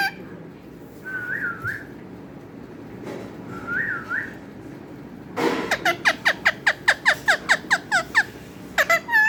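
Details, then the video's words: Talking parrot: two wavering whistled phrases, then a fast run of about a dozen sharp, downward-sweeping harmonic calls in even succession, ending with a few higher whistled notes. "clear talking parrot"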